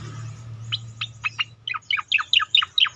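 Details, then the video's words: Leafbird song used as a lure to set other leafbirds singing: after a quiet start, about a dozen sharp, high downslurred whistled notes follow in quick succession, growing louder toward the end, over a steady low hum. "cicakoreng lain ngikut bunyi"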